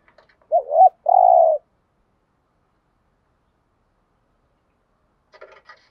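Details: Spotted dove used as a lure to rouse other doves utters one clear phrase, a short warbled note then a longer steady coo, followed by silence and faint scratchy noise near the end.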